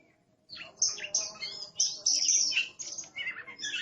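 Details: Aggressive Oriental magpie-robin giving a busy, noisy stream of sharp high chips and harsh chattering notes, several per second, over a faint low background hum.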